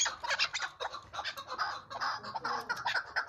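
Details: Chukar partridge of the hills, calling in an excited, repeated chatter of short clucking notes, roughly two to three per second, somewhat irregular with overlapping notes.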